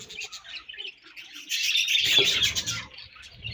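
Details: Breeding-season budgies chattering in a dense, high, scratchy warble; rapid chirps run almost continuously and swell louder in the second half, with faint low rumbling underneath.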